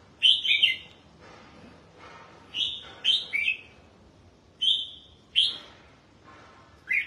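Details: Red-whiskered bulbul in a cage, bathed and sitting in the sun, singing loud ringing whistled phrases of two or three quick notes, separated by pauses of about a second.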